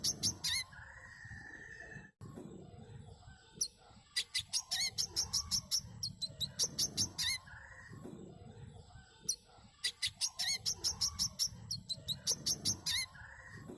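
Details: Manggar bird song used as a lure to make other birds sing: bursts of sharp, very high chirps in quick runs, repeated in several phrases, with a lower short trill near the start and a faint steady background hum.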